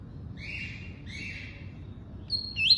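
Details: Double-collared seedeater, tuí-tuí song type: two soft paired whistled notes a second apart, followed by a louder sharp rising and falling whistle at the end, over a quiet low background.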